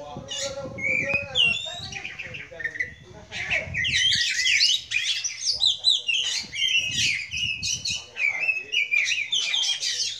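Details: Oriental magpie-robin heard at a Sunday kacer gathering: a person talks briefly at first, then bright, dense twittering and whistled song phrases pour out continuously, fast and varied, with quick upslurred and downslurred notes.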